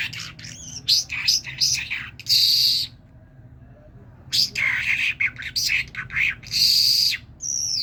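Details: Common myna, a talking bird from Kerman, delivers clustered raspy chirps and a long hissing buzz, then a silent gap before a second similar burst of notes.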